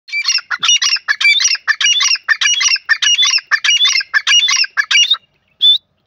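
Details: Grey francolin calling, with loud, harsh, rhythmic notes delivered in a rapid ratcheting run of about a dozen phrases, each a scratchy, rising-falling figure. The run stops abruptly, followed by one final isolated note after a short pause.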